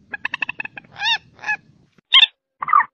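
Common moorhen: a fast run of dry clicking notes, then harsh, croaky honks in short bursts about half a second apart. No other sounds.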